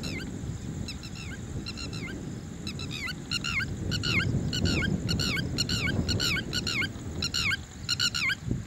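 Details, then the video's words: Red-wattled lapwing giving rapid, shrill, strident notes in quick bursts, about two calls a second, over a low rumble of wind or traffic. "Sound of Red wattled lapwing bird टिटवी पक्ष्याचा आवाज"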